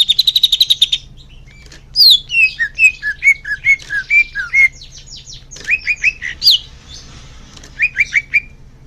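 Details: Leafbird song played to young birds as therapy: a quick high rattle, then clear, spaced, falling whistles and brisk repeated upslurs, over a faint steady hum.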